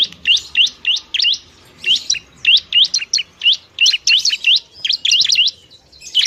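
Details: Noisy Bar-winged prinia, a semi-wild bird, singing to prompt reluctant birds: repeated paired and tripled high, hooked chirps in short phrases with small gaps, steady and lively.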